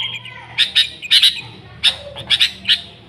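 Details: Sooty-headed bulbul singing in a recording used to attract the species. A few loud sharp chirps, often doubled, rise above a soft background rumble.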